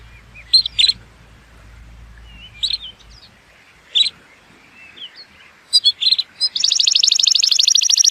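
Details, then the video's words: Scattered short chirps from an Atlantic canary, the species of the Azores, Madeira and Canary Islands, several seconds apart, ending in a dense high buzzy trill; used to teach young birds and stimulate males to sing. "صوت طائر الكناري لتعليم الفراخ | تحفيز الذكور على التغريد"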